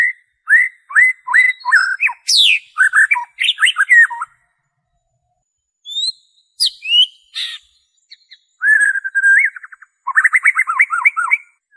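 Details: Original white-rumped shama song free of imitated phrases, played to coax kept shamas into singing: rapid series of short whistled notes, a sweeping high descending phrase, a pause, then scattered sharp notes ending in a fast rolling warble.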